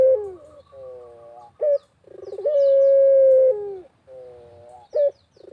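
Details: Repeated barbary dove cooing in a countryside setting: low soft coos, clipped rising notes and a drawn-out steady hoot of about a second, the pattern cycling again.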